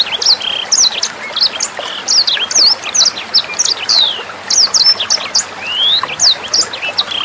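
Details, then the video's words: Tutor song of a sanger bird, meant for songbirds to copy. Rapid, bright chirps and thin whistles tumble in irregular phrases, including a long rising slur near the end, over a faint background of gently running water. "SUARA MASTERAN BURUNG SANGER NEMBAK JERNIH"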